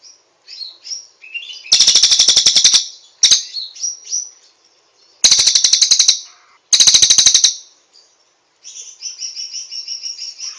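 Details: Cililin singing as master training material: short high chirps and whistled notes mixed with several loud, fast trill bursts of about a second each, ending in a softer twittering phrase.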